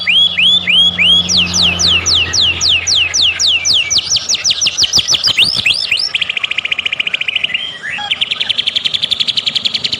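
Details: White-rumped shama song used as a lure to provoke other birds into singing: loud, rapid runs of downslurred whistled notes, then fast buzzy trills and repeated chattering phrases, about three or four notes per second, with a faint low hum underneath.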